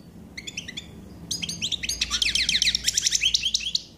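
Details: A common chaffinch (Fringilla coelebs) sings a bright, rattling series of high notes, speeding up and dropping in pitch before a brief closing flourish, a few thin call notes just before.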